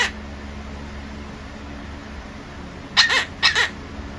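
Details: Pet monk parakeet indoors imitating its owner's cough: two short, harsh, rasping cough-like bursts about half a second apart near the end, after a stretch of quiet room hum.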